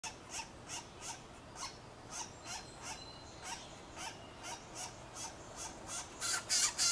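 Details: Northern flicker nestlings in a nest box, nearly a month old and being fed by their parents, beg with harsh, hissing rasps, about three a second, growing louder and busier at the end; a faint thin whistle briefly sounds behind them.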